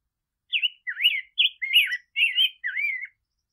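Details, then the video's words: Rose-breasted grosbeak song variation: six or seven robin-like whistled phrases in a smooth, bouncy sequence lasting under three seconds, ending on a longer falling note. "Rose-breasted Grosbeak Singing - Degollado/Picogrueso Pechirrosa Cantando"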